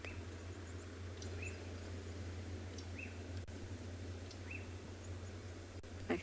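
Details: Black-backed puffback (Dryoscopus cubla) at sunrise, 31 August, Tswalu Kalahari Reserve, South Africa, heard from a game drive: short, faint whistled notes about every one and a half seconds over a steady low engine rumble.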